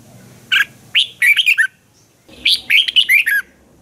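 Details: Red-whiskered bulbul, a Thai cage bird, singing a lively, sharp training song: two bursts of quick, bubbly whistled notes with rising and falling slurs, the first phrase short and the second longer, separated by a brief pause.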